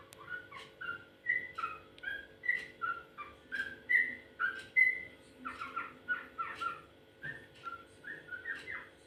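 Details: Sooty-headed bulbul, locally called trucukan, described as making a strange sound: a run of short clear whistled notes between about one and two kilohertz, bubbly and varied, with a steady faint hum underneath.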